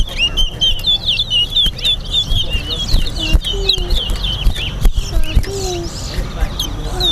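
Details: Bird race at Linden, Guyana, between Linden and Georgetown towa towa (large-billed seed-finch): fast warbling whistles run in a steady chain. Low crowd chatter and clicks continue underneath.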